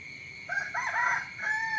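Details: Rooster crowing in the morning: a harmonic crow begins after half a second, rising then breaking into several held, slightly wavering segments, over a steady high-pitched background tone.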